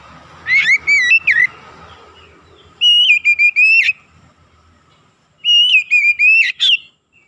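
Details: Oriental magpie-robin singing vigorously, a lure meant to quickly rouse other magpie-robins: three bursts of loud, ringing whistles, each a run of sustained level notes with sharp twisting ends, separated by silent gaps of about a second.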